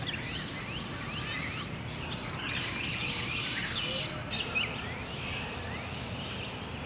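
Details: Two Barred Owl owlets, fed tree to tree by their mother at Devil's Den Campground around 7am, give three long, high, hissing screeches, each about a second and a half, with faint chirps and steady background noise between them.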